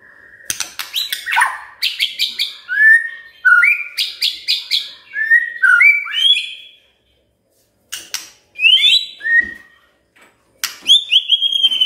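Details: Song aimed at rousing a quiet shama: sharp clicks mixed with varied whistled phrases, sliding and upslurred notes, a silent pause, then sporadic bright, high whistles.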